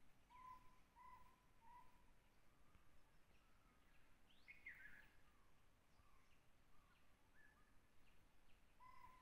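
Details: Jungle owlet at Tansa Wildlife Sanctuary, Maharashtra, India, gives three soft, hollow notes about two-thirds of a second apart, one more later; another bird gives a brief falling note amid steady background hiss.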